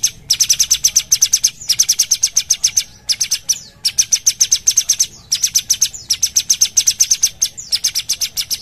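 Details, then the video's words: Sumatran bulbul (cucak cungkok) singing vigorously in the 'gacor' rapid-fire style: bursts of about a dozen sharp, high, rapidly repeated notes, each lasting over a second, separated by brief pauses, with a quiet background. "Cucak cungkok gacor"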